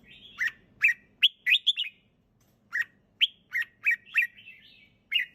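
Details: A relaxed red-whiskered bulbul sings clearly, giving lively chirpy whistled phrases of two to four quick notes separated by short silences, a faint low hum underneath.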